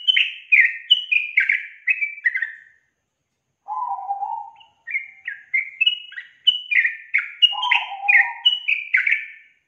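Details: Lure song of the yellow-vented bulbul, used to prompt a reluctant young bird to sing: rapid bubbly chattering phrases in short bursts, broken by a lower warbling note and a brief pause.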